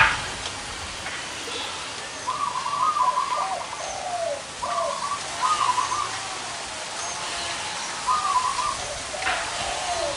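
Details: Gathering of wild zebra doves with big and small voices at one place. Repeated purring, trilled coo phrases in bursts, several birds overlapping, with lower rolling notes and faint chirps behind.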